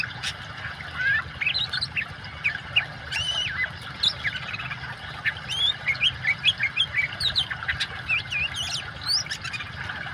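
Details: Lively oriental magpie-robin song blended with running water, meant to coax silent birds into singing: bright whistles and looping slurred phrases, some harsh squawky notes, delivered in irregular bursts above a constant watery rush.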